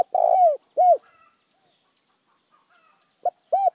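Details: Decoy spotted dove calling to draw in wild doves: a long rough coo and a clear coo end one phrase, then after a pause a short note and another coo start the next. Quiet surroundings.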